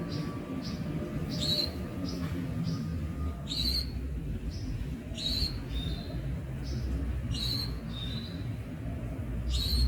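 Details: Young Javan Munia, a bird also known locally as bondol, giving short, high, thin chirps in uneven bursts about every second, some notes sliding slightly. A steady low rumble runs underneath.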